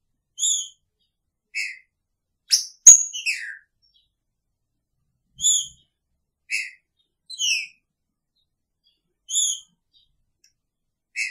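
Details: Caged male green-winged saltator of the picharro song style, kept with its female, repeating short whistled phrases of bright descending and slurred notes, each group spaced by pauses of about a second.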